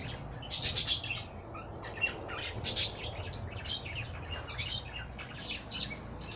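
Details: Bird song: two loud bursts of shrill, buzzy chirps early on, then quieter, varied twittering and squeaky notes from several birds overlapping.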